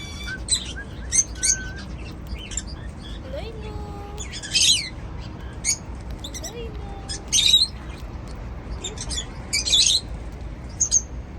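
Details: Happy cockatiels feeding on seeds give sharp, scattered chirps and squeaks every second or so, with a few soft, level whistles at lower pitch, over a quiet background.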